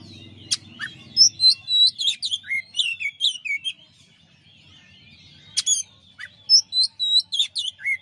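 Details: Champion Oriental magpie-robin delivering master song. Rich falling whistles and buzzy notes follow quickly, about four a second. A quiet warbling interlude follows, then another energetic burst of whistled phrases over faint low background hum.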